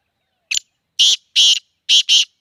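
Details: Black francolin in Sindh, Pakistan: five harsh, rasping, grating notes in a quick broken phrase. A short first note is followed by two longer ones, then a close pair, against an otherwise silent background.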